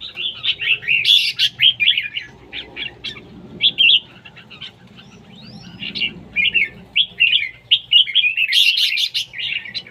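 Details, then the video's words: Red-whiskered bulbul in competition singing, with a long stream of rapid chattering, whistled notes and occasional harsh bursts, pausing briefly mid-clip before a loud chattering finish. "chào mào đấu siêng ché"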